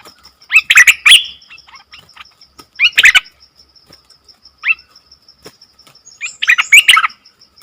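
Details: Nok dok taeng singing, a sound said to puzzle wild birds; loud clusters of chirpy, buzzy notes in bursts separated by pauses, over a steady high pulsing tone.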